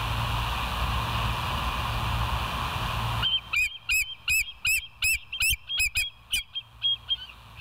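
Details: Bald eagle on a West End live nature cam, 08/01/2023 at 05:18; after three seconds of steady low hum, a series of about ten sharp, high piping notes sounds in quick, slightly uneven succession.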